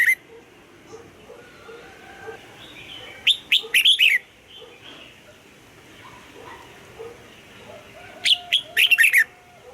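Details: Red-whiskered bulbul morning song in the double-note, old-forest style, sung for voice training: two lively warbling phrases of quick rising and falling whistled notes, separated by about four seconds of soft background chatter.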